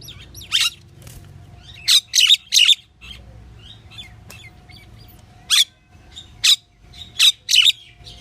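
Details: Pied myna uttering harsh squawks in small clusters separated by quiet gaps, two or three notes per burst, over faint background hum.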